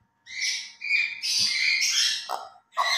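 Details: A captive grey parrot's talking and play session in the morning, a string of clear harmonic whistles and strained speech-like syllables run together, ending in a brief gap and one more call.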